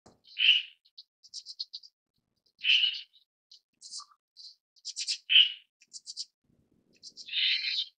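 Red-billed Starling giving harsh, raspy squawks about every two to two-and-a-half seconds, with thin high chips and squeaky notes in between.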